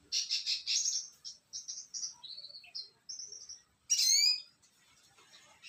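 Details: Branjangan (bushlark) song, loud and high: a dense run of buzzy, warbled notes, then stepped phrases and a burst of sharp downward-sweeping whistles near the end.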